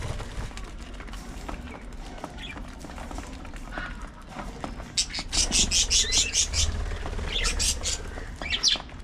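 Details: Several budgerigars at early morning feeding time; after quiet clicking and rustling, a burst of high, rapid chirps repeated several times a second, then more short chattering calls near the end.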